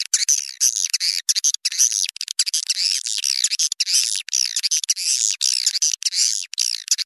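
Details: Swiftlet lure calls for pulling birds in from outside toward farmed nest houses: rapid, overlapping rasping chirps and twitters repeated almost without pause, in short bursts separated by tiny silences.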